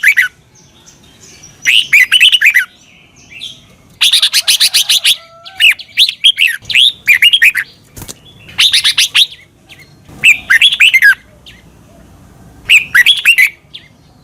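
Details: Red-whiskered bulbul song from Thailand, used to train caged birds in the doubled style. Seven lively phrases of rapid, rich, warbling notes come roughly every two seconds, with near silence between bursts.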